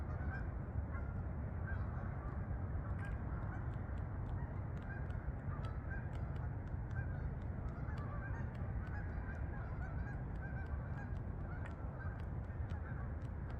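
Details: Flock of geese on the wing, heading to fields above Farmington, Connecticut meadows; many overlapping honks repeat throughout, partly buried under a constant deep roar of wind-like noise, with occasional sharp ticks.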